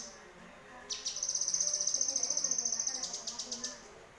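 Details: Harsh-style tutor recording of a yellow-vented bulbul for training other songbirds: quiet start, then a strong, fast, high trilling rattle for about two seconds, ending in slower spaced ticks.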